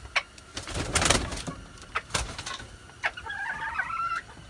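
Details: Six-month-old red junglefowl, 13 March 2019, crows with a short, rough, harmonic phrase near the end, preceded by loud clicks and knocking sounds.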